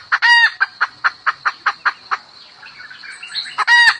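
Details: A hen calls a rooster, opening with a loud squawk, then about eight evenly spaced clucks. A quiet warbling pause follows before a second squawk, all over a high insect drone.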